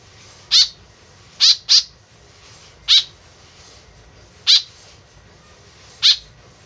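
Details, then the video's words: White-breasted woodswallow kept tame and calling eagerly, a sound used as a lure: six abrupt, raspy notes at irregular intervals, including one quick pair. Soft background rumble. "BURUNG KEKEP BABI GACOR SUARA JADI PIKATAN . SUARA BURUNG KEKEP MENDEKAT"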